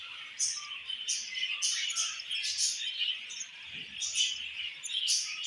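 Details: Feeding between a mother budgie and her baby: steady, buzzy high chatter punctuated by bright clicking bursts roughly every half second, plus a faint low thud.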